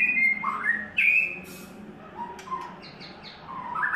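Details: White-rumped shama in its third molt: a long clear whistle, then a loud upslurred note, quieter low whistles, a string of short high chips, and a final rising whistle.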